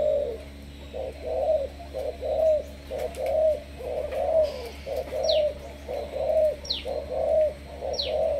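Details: Spotted dove of Malaysian stock, a 'sấm thổ' style decoy bird, repeats low mellow coos about once a second in a rolling series. Three sharp, high, downward-sweeping chirps from another bird sound in the second half.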